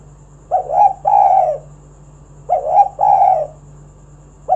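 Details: Lively spotted dove song used as a lure call to set other doves singing: two husky cooing phrases, each a short rising note then a longer throaty coo, about two seconds apart, with faint steady hum behind.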